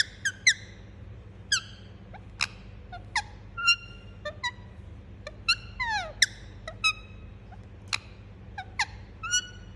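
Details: Indian ringneck parakeet kept as a pet, chirping steadily: bright, clipped harmonic notes repeated about every half second, mixed with descending slurred whistles, above a faint electrical hum.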